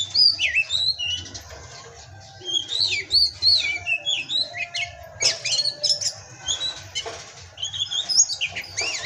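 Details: Pastol-style masteran song of an Oriental magpie-robin (kacer): clear phrases of sweet whistles, sharp upslurs and scratchy twitters, broken by short pauses, over a quiet background.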